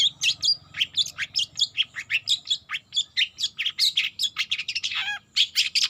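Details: Young long-tailed shrike learning to sing; rapid run of high, scratchy chirps and short twittering notes, with a buzzy downslurred note near the end, over faint low hum.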